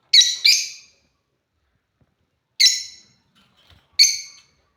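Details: African lovebirds utter a quick pair of piercing, raspy chirps, then two more single chirps spaced a second or more apart.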